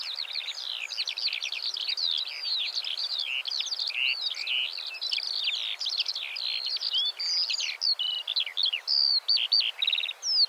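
Eurasian skylark pouring out a long, unbroken stream of rapid, high chirrups, trills and whistled phrases, fluttering and varied, with no pause throughout.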